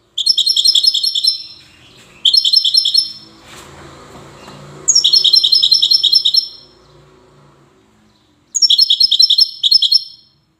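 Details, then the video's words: European goldfinch in Safi, Morocco, repeats widani-style phrases: four bursts of rapid, high, jingling twitters, each one to two seconds long, separated by pauses with a soft rustling, hissing background. "حسون ويداني"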